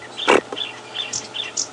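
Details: A Long-billed Crombec calls on a morning drive at Djuma Game Reserve on 12 March 2016 while flitting under a thick bush. It gives short, high whistled notes about every half second, with a brief knock and other birds faintly behind.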